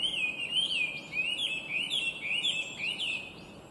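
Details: Singing Chinese hwamei, a clear, beautiful and complex songster listed among the worst invasive alien species: continuous loud, looping whistled notes rising and falling rapidly, nearly two phrases per second, over a quiet outdoor background.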